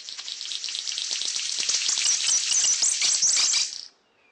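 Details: A male King of Saxony bird-of-paradise in high-elevation cloud forest gives its territorial call from a song post, a strange, hissing, static-like crackle like sizzling fat, sustained nearly four seconds then stopping abruptly; the call warns rival males and advertises to females.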